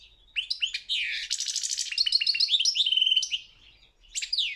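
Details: Singing competition goldfinch: a rolling stream of twittering and buzzing trills with a steady rattled passage, a pause, then a final downward-sweeping note.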